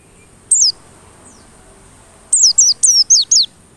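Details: High, thin white-eye song meant to goad white-eyes into singing hard: a single falling note, a long gap, then five clipped, downward-sweeping whistles in quick succession against a soft hiss.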